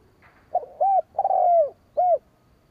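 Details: Spotted dove cooing, used as a decoy call to lure rival doves: a short buzzy lead-in, then three hollow low coos, the middle one long and falling, in a quiet setting.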